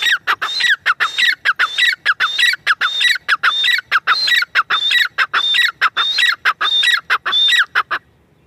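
A partridge calls loudly and harshly, with ringing, squawky notes repeated quickly, about one and a half per second, in a steady run with no other sounds.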